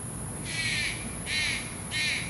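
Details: Malayan Night Heron feeding chicks at night in Taichung, Taiwan, on 30 July 2020; three harsh, raspy bursts repeated roughly every 0.7 seconds over steady background noise.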